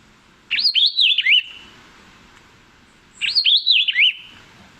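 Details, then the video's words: Puerto Rican vireo, a small endemic bird of Puerto Rico's forests, calls two identical quick, slurred whistled phrases that warble up and down, about three seconds apart, against a quiet background. "That was the call of the Puerto Rican vireo."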